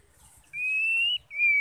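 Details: Female white-rumped shama calling to stimulate males to sing: two clear, pure whistled notes, the first long and slightly rising, then a brief gap and a second steady whistle, with no other sounds.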